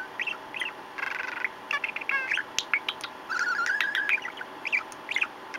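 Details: Male pet budgie in close-up play with its owner, dated 17 April 2014, pouring out rapid chirpy warbling, clicks and buzzy trills in short phrases over a constant low hum.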